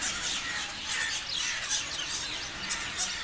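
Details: A flock of parrots chirping together: a dense chorus of shrill, overlapping squeaks and quick up-and-down chirps, with a few louder sharp notes near the end and no other clear sounds.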